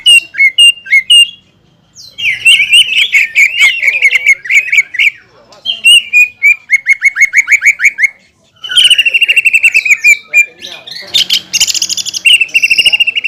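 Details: Greater green leafbird, a competition-class songbird, in a rich, varied song of loud whistled phrases, rapid chattering trills and harsh buzzy bursts, with short pauses between phrase groups.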